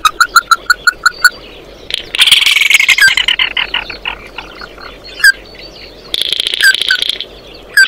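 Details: Oriental white-eye calling the flock: six quick clear notes, then a loud harsh buzzy chatter with scattered single notes, and another buzzy burst near the end.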